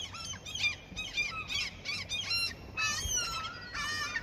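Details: Seagulls offered food in their fishing-ground territory give loud, laughing-like squealing cries in clustered bursts roughly every half second, several voices layered together.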